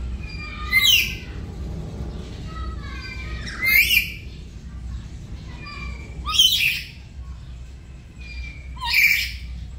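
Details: Pet black-capped lory at home in the morning, practising lively gacor singing in a duet: four loud, harsh, broadband screeching bursts about every two and a half seconds, with faint thin whistles and a low steady hum between them.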